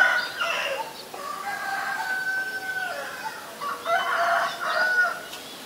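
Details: White-vented myna (Acridotheres grandis) at Ubon Ratchathani, Thailand, on 9 March 2022: harsh, harmonic, drawn-out calls and raspy bursts, with a long steady tone in the middle and chattering notes toward the end.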